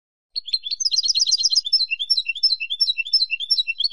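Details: European goldfinch from Spain in full song: a lively, unbroken chatter of quick high tinkling notes with rapid trilled runs and occasional downward slurred whistles, going on for several seconds in a quiet setting.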